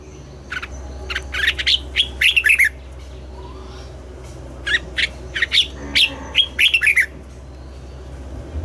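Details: Red-whiskered bulbul at morning, singing double-note forest-mature phrases for voice training: two rapid runs of chirpy, falling whistled notes about four seconds apart, each lasting roughly two seconds, with a soft hum beneath.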